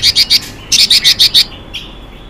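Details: Female Chinese hwamei giving a hissing call meant to stir up males: rapid harsh, buzzy notes, three then five in quick series, followed by a faint softer note.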